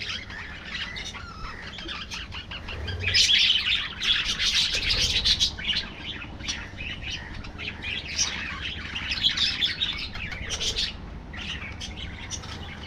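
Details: A budgerigar flock in an aviary warbles and chirps densely. Noisy high twittering rises in waves, loudest around the middle and again toward the end.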